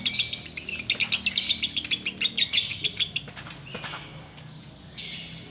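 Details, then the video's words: Rapid ngekek chattering by a sooty-headed bulbul, recorded while waiting to break the Ramadan fast: about three seconds of loud, quick high notes, then softer scattered chirps. "Menikmati Ngekek Biang Kerok"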